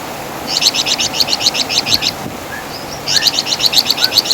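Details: Flamboyan bird, locally called wergan jawa, master song for songbird training: two bursts of fast, sharp repeated chattering notes separated by a short gap with a faint lower whistle, steady background hiss.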